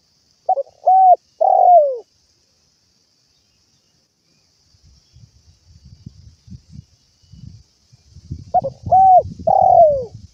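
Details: Spotted dove calling out to its companions, one cooing phrase at the start and another near the end, each stutter, flat coo and falling long coo, with low rumbling noise in between.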